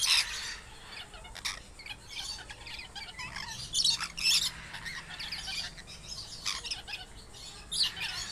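Lorikeets give harsh, grating screeches in quick irregular bursts, several overlapping, with softer chattering between and a faint hiss behind.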